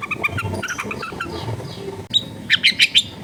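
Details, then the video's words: Long-tailed shrike song used as a lure for shrikes that stop singing, recorded in a crowded residential area: a muddled scratchy start, then four loud, evenly spaced harsh notes at the end. "CENDET GACOR FULL TEMBAKAN TAJAM COCOK BUAT PANCINGAN CENDET MACET BUNYI"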